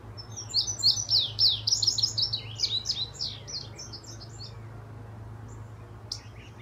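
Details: Indigo bunting, a bird still finishing its molt into adult plumage, visiting an area where the species had just arrived that week. Its song is a quick run of high, sweet paired chirps and slurred notes that fades out after about four seconds, over a steady low hum.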